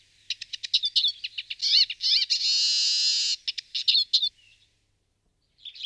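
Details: Eurasian siskin singing: a fast run of sharp high twittering notes, then a long buzzy wheezing note lasting about a second, followed by more clipped chirps and a brief pause before the song resumes; clean recording without other sounds.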